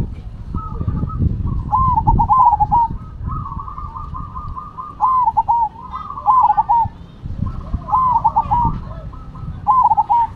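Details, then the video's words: Cemani and Silver zebra doves sing in alternation; clear bubbling coo phrases recur roughly every two seconds, overlapping steady coos from a second bird, with some low rumbling noise beneath. "Perkutut Cemani Gacor Vs Silver Gacor"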